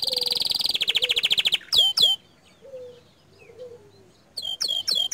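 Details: Canary singing in the 'gacor dor' style: a fast, even trill of high notes, then a pause with soft low whistles, then sharp downward-swooping notes near the end.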